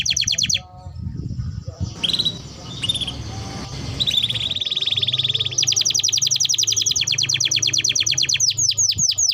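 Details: Afternoon canary song before the bird goes back indoors: a brief trill, then a muddled stretch of whistles amid background noise, followed by a long, dense, rattling trill of rapid high notes running to the end.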